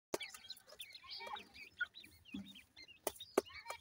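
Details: Grey francolin chicks during feeding, giving short, high chirps and curved peeps in quick irregular bursts, mixed with sharp tapping clicks.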